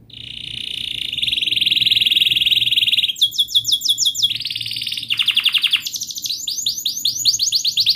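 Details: Canary in long rolling song used to prompt young or silent canaries to sing: a sustained bright buzzy trill for three seconds, then rapid repeated sweeping notes shifting between tours at different pitches.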